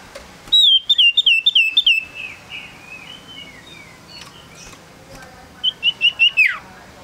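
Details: Male common iora, a tame small yellow bird, gives a rapid string of about ten sharp whistled notes, softer fading slurs, then a second burst of four whistles ending in a steep downward slur.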